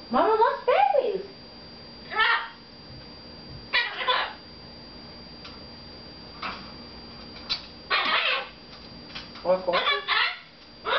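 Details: Captive red-fronted macaw chattering at its owner in a bathroom, giving bursts of harsh wavering syllables every second or two, separated by quiet gaps with faint room hum.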